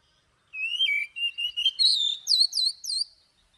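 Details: Oriental magpie-robin (chòe than) singing in the morning in a wild-type voice with long notes: a rich, varied phrase of sweet sustained whistles, then a quick run of clear, downslurred notes, high and bright.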